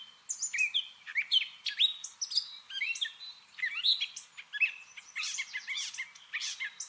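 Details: Mimicking song of a gray catbird, a steady stream of disjointed chirps, squeaks, slurred whistles and harsh notes that change every fraction of a second, with high, thin bursts toward the end.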